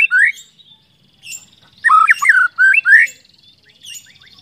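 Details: White-rumped shama song used as a lure to get other shamas singing, made of quick rising whistled phrases in short bursts. A thin, high, steady trill runs faintly behind.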